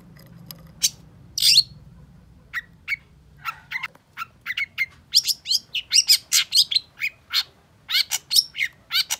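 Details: Song of a long-tailed shrike, played to get a silent bird singing again: scattered sharp clicks and chirps, then a rapid dense run of varied high notes and harsh bursts, with low hum behind.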